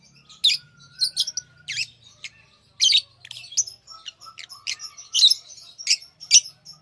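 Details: Tame lovebirds chattering with harsh, high squawky chirps about once a second, separated by softer twittering and a faint steady low hum.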